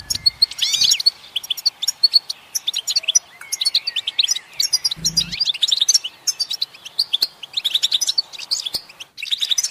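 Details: European goldfinch song meant to spur singing: about ten seconds of rapid, varied twittering, with sweet chirps, buzzy trills and a few drawn-out slurred notes in short bursts, and one brief low thud near the middle.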